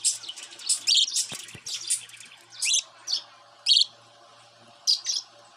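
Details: Young pet cockatiel, grown up from a baby, uttering a busy flurry of high chirps followed by spaced single calls about once a second, with a few low thumps in the background.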